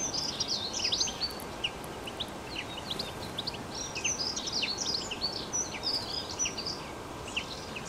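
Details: Wild European goldfinch in nature giving a dense, continuous stream of high, liquid twittering notes and quick chirps, with a constant hiss beneath.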